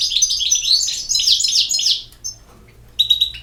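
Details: European goldfinch singing a fast, high, liquid twitter of tinkling and buzzy notes for about two seconds, a brief pause, then a fresh burst of bright trills at the end; no other sounds.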